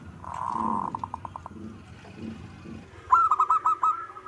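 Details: Zebra dove, a local perkutut, gives a drawn-out coo that breaks into short staccato notes, then after a pause a louder, crisper run of six quick cooing pulses.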